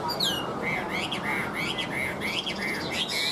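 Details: A tame caged Chinese hwamei (Garrulax canorus) sings clear, rich whistled phrases, opening with a falling slur, then quick looping notes about three times a second, over steady background hiss.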